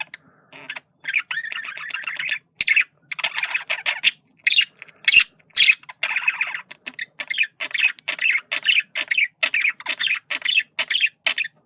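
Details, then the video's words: Male budgerigar using communication calls, a long run of scratchy, buzzing warble segments interleaved with high chirps and clicks, delivered in fast, uneven bursts throughout. "sonido de comunicación de periquito macho /sonido de perico australiano"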